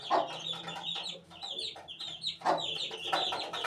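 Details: Young chicken chick at 18 days old peeping: dense high chirps, short downslurred notes in quick succession, with two louder broadband bursts in the middle.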